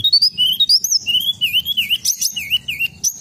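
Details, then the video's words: Sunda robin, used as a lure sound: a loud, fast run of clear whistled notes that jump between high and low pitches, with rising slurs and quick downward flicks. A faint low rumble sits beneath. "Pancingan bunyi tledekan gunung!"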